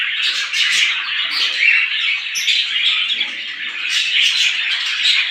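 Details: Morning chorus of many small birds, busy high-pitched chirping and tweeting that swells and dips without a break.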